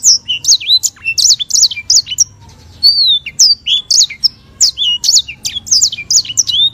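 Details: White-rumped seedeater (sanger), an African species, singing vigorously with long rolls and clear voice as master audio for training songbirds: rapid high twittering phrases of sweeping, down-slurred whistles and trills, brief pauses near three seconds, faint low background hum.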